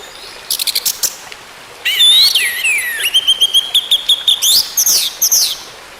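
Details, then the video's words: Orange-headed thrush singing for a silent bird's therapy: a soft stuttering start, then a loud sweeping whistle followed by a rapid run of repeated clipped notes and descending slurs. "TERAPI ANIS MERAH MACET BUNYI, BERTAHAP KEMBALI GACOR"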